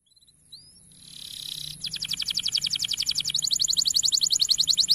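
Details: Male canary singing, used as a model to train young canaries to sing: a brief rising whistle, then a fast buzzy trill of rapidly repeated high notes that continues steadily to the end.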